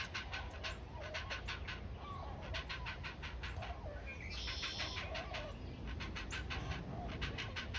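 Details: A great blue heron chick begging its mother for food, lunging at her neck and bill, gives rapid, harsh clacking calls, several per second in uneven bursts, over a steady low rumble of wind.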